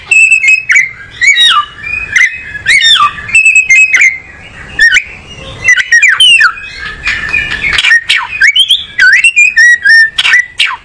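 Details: Oriental magpie-robin (kacer) singing close up: loud, varied whistled phrases with sharp up-and-down slurs and rapid chirps, delivered in quick bursts with short pauses, over a quiet background.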